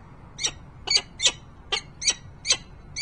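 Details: At a Harrisburg, Pennsylvania nest site on 28 November 2020, a peregrine falcon gives loud, harsh, squeaky notes about twice a second in a fairly steady series, with little background noise.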